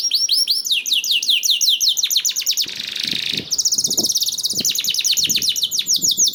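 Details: Singing canary, played to encourage other canaries to join in: rapid repeated downward-slurred notes in a steady trill, interrupted by a short rasping hiss-like phrase, then the bright trill resumes with soft low knocks.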